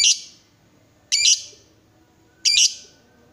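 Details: Excited lovebird, provoked into calling, gives three loud raspy high chirps about a second and a quarter apart, each with a brief trailing fade.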